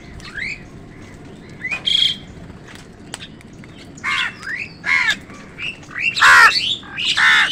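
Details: Feeding squabble between crows and other wild birds, with short upward-sweeping calls mixed with harsh broadband caws, growing louder and denser toward the end.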